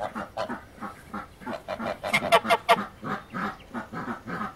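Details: Wild goose honking steadily, nasal two-part calls repeated about two to three times per second, a louder, harsher burst in the middle of the series.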